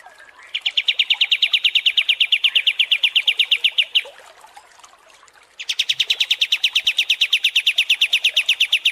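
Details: Kapas tembak songbird, long-duration training recording for contest birds: two long bursts of rapid, evenly spaced chattering notes, each lasting several seconds, separated by a short quiet gap.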